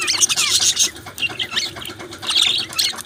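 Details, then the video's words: Australian budgerigars chirping: a dense, busy chatter of many overlapping high, rapid warbles, squeaks and clicks, with louder bursts at the start and near the end. "Australian Beautiful Budgies Chirping Sounds"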